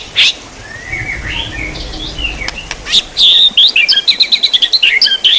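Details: White-rumped shama singing, training material for songbirds: scattered soft rising whistles, then a fast series of sharp high chips and twittering notes in the last two seconds.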